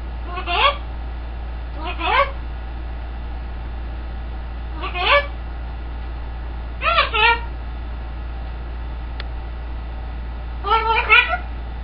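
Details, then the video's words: Pet green-winged macaw talking: six speech-like bursts spaced a second or two apart, each a quick jumble of harmonic syllables, over a low background hum. "Jem the Macaw -Singing, Dancing, Clucking like a Chicken!"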